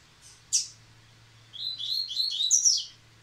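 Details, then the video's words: Post-moult song of a caged Rusty-collared seedeater: one sharp click, a short pause, then a continuous rapid phrase of high slurred whistles ending in buzzy strokes; faint hum in the background. "Coleiro Baiano Caetano voltando a cantar após muda!!!"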